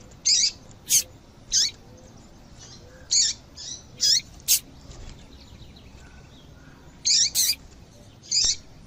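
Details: Calls of a female double-collared seedeater used to stimulate male song: a run of short, high, sharp chirps, some paired, clustered early then resuming after a pause, over low background noise.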